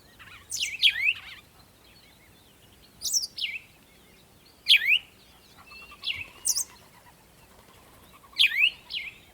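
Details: Morning birdsong at sunrise: bright, sharp descending chirps given in short clusters, repeated roughly every two to two and a half seconds, five bursts in all, with a faint lower whistle between them.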